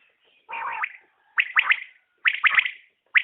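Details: Common quail (batair) calling: a sharp three-note phrase of quick, high, clipped notes, repeated about once a second against a quiet background.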